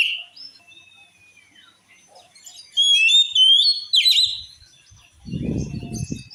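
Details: Song of an oriental magpie-robin, described as able to enrage other magpie-robins: a thin whistle, then a loud burst of varied sweet whistles and quick slurred notes, ending with a low muffled rumble.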